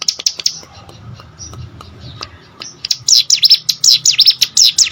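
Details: Hill prinia, as training audio for competition birds, with scattered faint chirps and low background murmur at first, then a burst of loud fast swept notes in the final two seconds.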